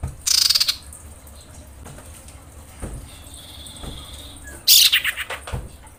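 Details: Female common iora in breeding condition calling to attract males: two harsh, buzzy, rapidly pulsed screeching bursts about four seconds apart, with faint background noise between them.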